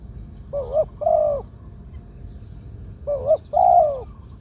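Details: Two-'kuk' 'khu-ang' song of a medium-voiced spotted dove used as a ground decoy: two phrases, each a short coo and a longer hollow coo, separated by a pause of about two seconds.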